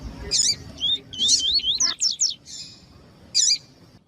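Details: Double-collared seedeater in pure tui tui song style, played to warm up other males for breeders' tournaments: a fast run of sharp, slurred high whistles and buzzy notes, then a pause and one final burst.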